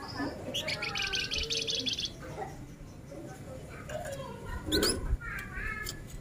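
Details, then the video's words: Male flamboyan in rapid, tightly packed song: a fast buzzy trill lasting over a second, then scattered chirps and short twittering phrases, with a steady background hum. "Suara Alami Flamboyan Jantan Gacor Nyerecet Rapat"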